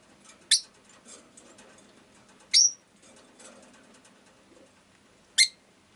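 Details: Three sharp, high chirps from a pet rosy-faced lovebird, spaced about two to three seconds apart, over a soft background of rustling and faint scratchy sounds.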